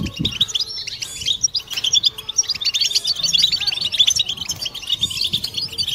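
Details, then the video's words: Group 'batbata' song of European goldfinches played to stimulate males and females to mating song; a low thud at the start, then steady bright chirping and jingling phrases overlapping across the clip. "بتبتة حسون جماعية ضرورية لعلاج سكوت+تحفيز إنات لحسون قوى بتبتة جماعية لتحفيز حسون على تغريدة تزاوج"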